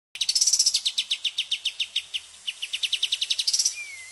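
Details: White-shouldered triller singing in the 'tembakan' (shooting) style: a fast run of about twenty-five sharp, evenly repeated notes, roughly six per second, easing slightly in the middle, ending with a thin downslurred whistle.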